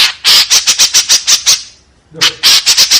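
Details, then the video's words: White-breasted woodswallow giving its rough 'tembakan kasar' burst: a run of about eight harsh, raspy, evenly spaced notes, a short pause, then another quick series of scratchy calls. "SUARA BURUNG KEKEPBABI TEMBAKAN KASAR"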